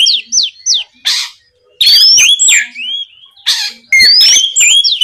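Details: Oriental magpie-robin singing continuously at night to push rival birds into answering: quick falling chirps, harsh rasps, then long rising whistles and warbled phrases in two bursts.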